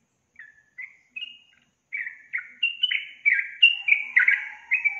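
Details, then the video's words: Yellow-vented bulbul singing energetically: a few hesitant single whistles build into a fast chattering run of bubbly, downslurred notes, with a softer low descending tone near the end. "SUARA BURUNG TRUCUKAN GACOR"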